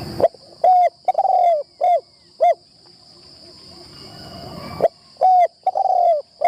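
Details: Decoy spotted dove during decoy trapping, tried in the trap tent for the first time. It delivers a rhythmic phrase of low, resonant coos, short and long mixed, pauses, then repeats the phrase over a thin insect buzz.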